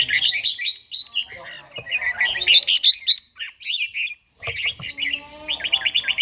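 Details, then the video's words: Red-whiskered bulbul, an older bird with a forest-style voice, kept and trained to sing in the morning. It gives bright, warbled phrases of quick rising and falling notes in bursts, with a brief pause before a final rapid run. "chàomào HÓT SÁNG, LUYỆN CHIM HÓT HẰNG NGÀY"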